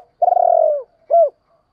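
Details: Spotted dove calling to lure wild doves: a long rolling, throbbing coo that slowly falls in pitch, followed after a brief pause by one short, clear, arched coo. No other sounds.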